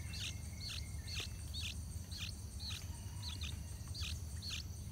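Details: Yellow-vented bulbul chicks moving along the nest edge on their last day before fledging, parents feeding them; short hooked chirps repeated about twice a second over a steady high insect-like hum and low rumble.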